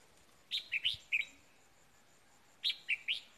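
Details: Decoy red-whiskered bulbul at Tết singing two identical lively phrases of four quick, clear, up-and-down whistled notes, about two seconds apart, against a quiet background.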